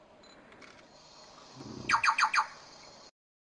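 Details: White-backed night heron giving a quick series of four harsh, croaking notes in under a second, after a low rumble, over steady background hiss.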